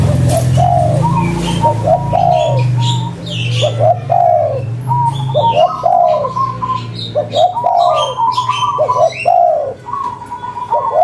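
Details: Local spotted dove in full cetrekan-style calling, repeating about five coo phrases of stuttered lead-in notes and a long falling mellow note, with faint higher chirps and low background rumble.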